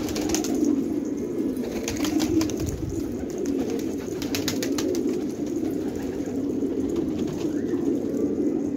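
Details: Flock of jangi tumbler pigeons cooing in an Afghan village at Khanabad; a steady low murmur of coos, with a cluster of clicks early on that then fades to quieter cooing.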